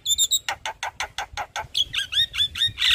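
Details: Javan myna singing in daytime in front of a house: high tinny notes, then a steady series of about eight harsh clicking rasps, ending in quick downslurred whistles and a loud buzzy screech.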